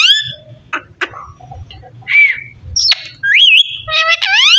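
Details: A talking parrot: clicks and short harsh notes, then clear whistled glides, one wavering, ending in stacked rising voice-like calls.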